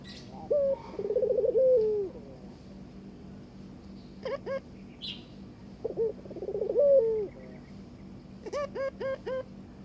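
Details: Barbary dove courting its mate with two long rolling, purring coos that rise then sag. Short bursts of bright clicking chirps come between them, over a faint steady hum.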